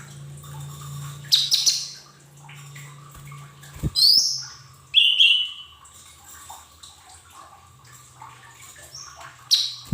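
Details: Lesser green leafbird, training recording to make untrained caged birds start singing: scattered loud high chirps and short trilled phrases every one to two seconds, with quiet gaps and a low background hum.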